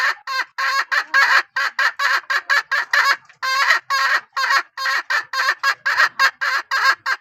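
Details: Strongly calling hen: about two dozen loud, harsh, harmonic calls in rapid, nearly unbroken sequence, around three per second, with one brief pause midway.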